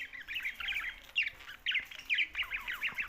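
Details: Budgerigars, Australian parrots, make bursts of quick, raspy chattering notes in short clusters separated by brief gaps.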